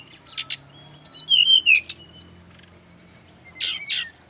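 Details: Brown-chested jungle flycatcher from Bali, singing to prompt other birds of its kind to answer. Sweet high whistled phrases, some slurred downward and some trilled, come in two bursts separated by a short pause.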